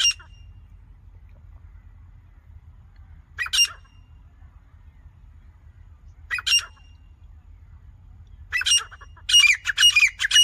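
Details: Calling grey francolin: rasping notes spaced a few seconds apart, then speeding into a rapid run of repeated harsh calls near the end.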